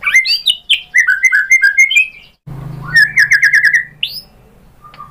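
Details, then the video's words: Murai batu, the white-rumped shama, singing a lure to prompt other birds to answer; bright varied whistled phrases, a short break, then a rapid rattling trill and one high upslurred whistle. "PANCINGAN MURAI BATU bikin NYAUT BUNYI GACOR NGEPLONG BONGKAR ISIAN"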